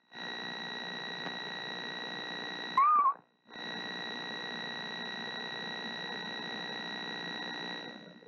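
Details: Mother screech owl incubating eggs sings a soft note to her owlets. A single short quavering whistle rises and then dips, set against continuous droning hum.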